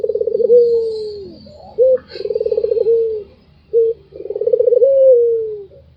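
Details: White Barbary dove laughing: long trilled, rattling coos that level out and slide down, separated by brief single coos, three phrases in a row.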